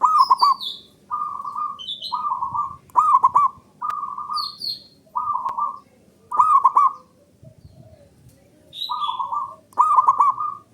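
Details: Repeated song of a male zebra dove, meant to provoke silent birds into answering: about nine short cooing phrases, every second or so, some with a rapid rolling stutter. Other birds add scattered high thin notes.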